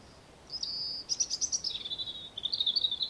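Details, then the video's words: European robin singing energetically in the morning: a high, thin, wavering phrase of sweet notes and trills that rises and falls, with little else heard. "Robin Birdsong"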